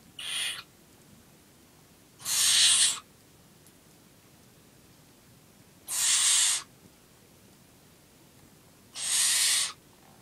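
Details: A 9-week-old young barn owl calling while feeding: four harsh, breathy hissing screeches, each lasting under a second, separated by gaps of about two to three seconds, over a quiet background.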